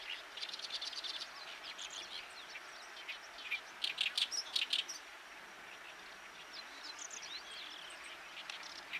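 Oriental reed warbler song: harsh, chattering bursts of quick notes, loudest in a scratchy run midway, over a steady outdoor hiss.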